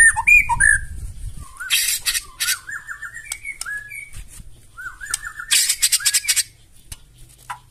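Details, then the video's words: Loud, harsh song of a white-rumped shama meant to trigger other birds to reply: whistled slurred phrases interspersed with harsh buzzy bursts, low rumbling noise at the start, fading at the end. "KICAUAN MURAI BATU NEMBAK KASAR AUTO NGAMUK SEKALI DENGAR LANGSUNG NYAUT"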